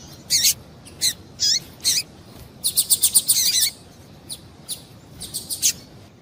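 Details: Female Double-collared seedeater giving calls meant to stir a male into singing. Several separate sharp high chips, then a fast burst of about seven rapid notes, followed by softer scattered chirps.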